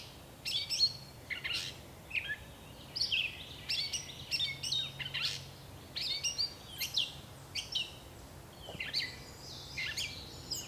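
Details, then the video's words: A gray catbird in bushes sings a rambling, unbroken run of squeaky, chattering and whistled phrases, each one different, over a faint low hum. "Gray Catbird Singing"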